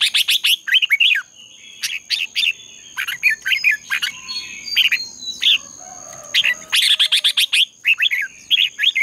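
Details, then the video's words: Contest-singing red-whiskered bulbul, a dawn training recording meant to excite birds into song: nearly nonstop bright chirping phrases of quick, rising and falling whistled notes, with few pauses. A faint steady high tone runs beneath. "Luyện chào mào hót sáng. chào mào hót đấu"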